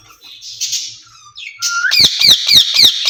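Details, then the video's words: Caged ring-necked parakeets exchanging sounds: soft scratchy chatter and a rising whistle, followed by loud harsh squawks repeated roughly four times a second. "Speaking Parrots in Cage"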